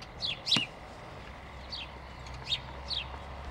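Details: Sparrows giving short, sharp chirps, each sliding downward, scattered irregularly with about five notes in under four seconds over a steady low background hum.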